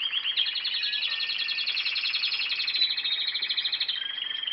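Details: Canary singing new song: an unbroken, rapid rolling trill of bright buzzy notes lasting the whole stretch, changing pace slightly and ending in a steadier whistled roll.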